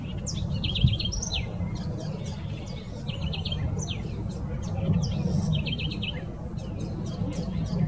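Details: Southern house wren (Troglodytes musculus) song at Jardim Botânico, São Paulo, Brazil, 26 November 2019: a quick, bubbly trilled phrase repeated about every two and a half seconds over steady low traffic rumble and faint high chirps.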